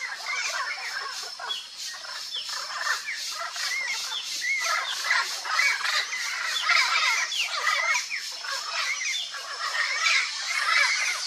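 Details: Turquoise-fronted parrot, Amazona aestiva, calling: a dense, continuous mass of harsh overlapping squawks and shrill chattering notes, apparently from many birds at once, rising and falling in loudness with no pauses.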